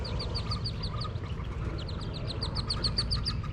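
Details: Wood duck ducklings jumping from a nest box, heard from below: rapid high peeping notes, falling in pitch and repeated several times a second, over steady low rumbling background noise.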